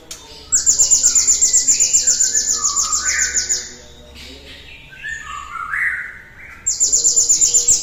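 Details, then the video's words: A cinereous tit sings to prompt other birds into song, delivering a long, piercing high trill of fast, evenly repeated notes that stops, gives way to lower fluting phrases, then starts again. "PANCINGAN TER-SUPER GLATIK BATU GACORNYA ISTIMEWA"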